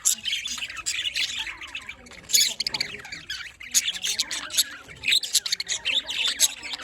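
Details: Small colony of pet budgerigars chirping and squawking, a constant rapid jumble of high scratchy twitters and sharp squeaks from many birds at once.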